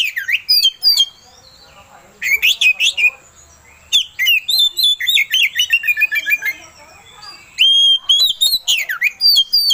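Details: Oriental magpie-robin song played to excite another magpie-robin into singing: loud, varied phrases of sweeping whistles, buzzy downward slurs and quick trills, delivered in energetic bursts with short gaps between them.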